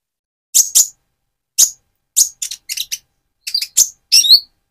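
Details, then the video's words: Speckled-plumaged Van Hasselt's sunbird in full song, used as a lure to stir up and raise the spirit of another sunbird: sharp, very high chirps and twittering notes in short clusters separated by brief silences. "Burung Konin trotol gacor untuk pancingan menaikan mental emosi kolibri ninja"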